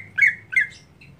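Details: A pair of grating squawk notes from a daily-kept greater green leafbird singing monotonously, the second a near copy of the first, followed by a faint short chirp.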